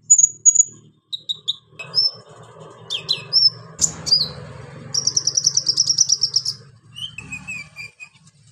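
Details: High, varied calls of a pygmy cupwing, said to be a female calling a male: short whistles and sharp downslurred notes, then a fast buzzy trill of about two seconds, then falling whistled notes over faint background hum.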